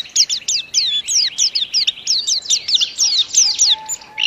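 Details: White-eye (pleci) singing a long-duration, fast, dense song in a showy style: rapid high twittering notes and sweeping whistles in quick succession, with a steady faint low whistle near the end.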